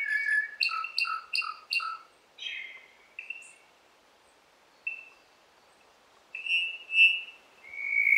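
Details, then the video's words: Cuban Solitaire song from Cuba, recorded in 2015: a fast burst of stacked, ringing whistled notes, then scattered short tones separated by pauses, ending in drawn-out, ethereal whistles. "the song of the Cuban Solitaire"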